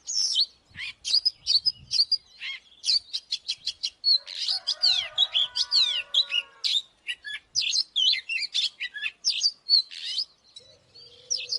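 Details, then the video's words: Oriental magpie-robin lure bird singing its fighting song. A long, energetic stream of clear whistles, quick chips and downslurred notes comes almost without a break. A fainter lower warble joins midway. "เสียงนกกางเขนบ้านหรือนกบินหลาขี้ควายใต้ 01# Chòe than mồi Kích BỔI ĐẤU || Choè than HÓT - ĐẤU"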